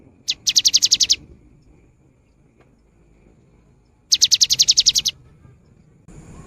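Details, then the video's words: Cinereous tit in full song, used as a lure to get quiet birds singing: a quick high trill of sharp repeated notes, then a pause of about three seconds, then a second matching burst. "Suara GELATIK BATU GACOR"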